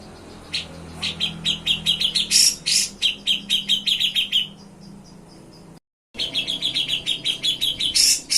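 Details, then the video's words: Grey-cheeked bulbul (cucak jenggot) in lively song for training other songbirds, in nyepik and ngetril styles: rapid runs of sharp, high chirped notes several per second, broken by louder buzzy bursts, a brief silent gap, then renewed fast trilling. "CUCAK JENGGOT GACOR BESET NYEPIK NGETRIL"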